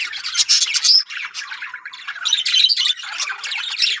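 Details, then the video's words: Many yellow budgerigars in a colony chatter without pause. Buzzy, scratchy warbling mixes with brighter squeaky notes, dense and unbroken. "Yellow Budgies Parrot Colony"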